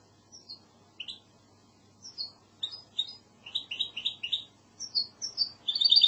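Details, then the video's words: Goldfinch hybrid (mixto) of classic Andalusian song lineage giving scattered short high chirps and slurred notes, growing denser and louder toward the end. "CANTO MIXTO PEPEGRANADA تغريد هجين الحسون الإسباني"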